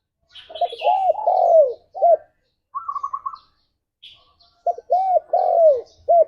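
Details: Morning coos of a spotted dove meant to stimulate mating: two phrases of soft arched notes with a drawn-out sliding coo, a short burst of rapid higher notes between them and light chirps above.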